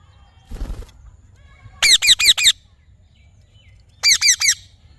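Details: Parrot calling in rapid series of ringing squawks, four in the first burst and three in the second, after a brief low rumbling noise at the start.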